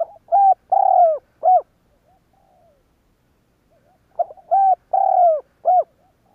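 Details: Spotted dove cooing to provoke other doves to coo: two phrases about four seconds apart, each a brief lead note and then three or four mellow hooting coos, the longest one sliding downward, with a faint soft note between.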